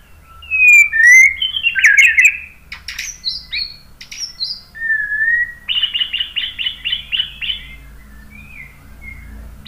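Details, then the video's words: White-rumped shama song played to set other birds singing: sharp whistles and chirps, then a fast run of about eight repeated short notes, with a faint low hum underneath. "KICAUAN MURAI BATU bikin NYAUT ikut BUNYI GACOR NGEPLONG BONGKAR ISIAN ¦ PANCINGAN MURAI"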